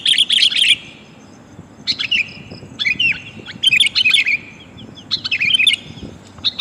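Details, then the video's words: Female sooty-headed bulbul calling the male, used as a lure for wild bulbuls: a burst of bright chirping notes, then short twittering phrases after pauses of about a second. "suara kutilang betina memanggil jantan"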